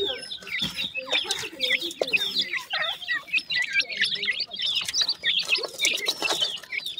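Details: Several newly hatched painted francolin chicks calling together: a continuous chorus of thin, high, chirping peeps with quick rising and falling inflections, packed closely and steady in loudness, over faint scraping sounds.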